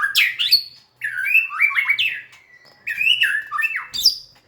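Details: Dancing, tail-wagging white-rumped shama singing three bursts of varied whistles: fast rising and falling slurs, a long level note between phrases, and a sharp high note to finish.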